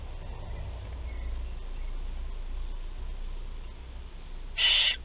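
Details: Barn owl chicks, four of them, fed at the nest in Théding on 16 July 2020; a quiet stretch of low rumble ends in one short, rasping hissed screech.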